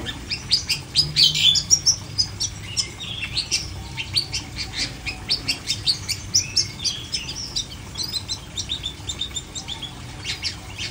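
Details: Cendet, the long-tailed shrike, giving a fast, chattering song of short sharp chips and squeaky whistles, roughly two notes a second with uneven spacing, over a steady low background hum.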